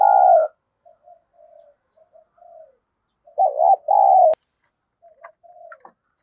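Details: Decoy spotted dove with a thunder-style voice, cooing to draw out rival doves. A loud opening coo is followed by soft, low murmured notes, then a strong paired coo and a sharp click, with fainter cooing after.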